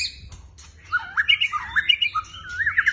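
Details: A competition black shama starts after a brief quiet moment, then pours out rapid clear whistles and looping warbled notes, ending in fast repeated chips, over a low background hum.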